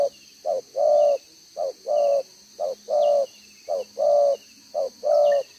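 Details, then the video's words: Spotted dove decoy bird with a two-row bead collar, cooing in the one-ending 'đồng gáy 1 hậu' style, recorded 11/6/2023: a short low coo followed by a longer sustained coo, repeated about once a second, four times. "ĐỒNG gáy 1 Hậu"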